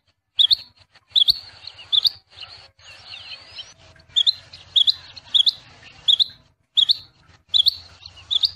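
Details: Rain quail singing a steady series of piercing two-part whistled notes, about 78 per minute, with short gaps between phrases; faint rising whistles and chatter of other birds underneath.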